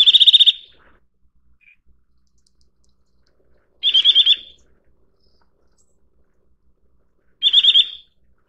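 Eurasian nuthatch giving three short bursts of rapid, high whistled notes about three to four seconds apart, each a quick run of about six notes; otherwise quiet.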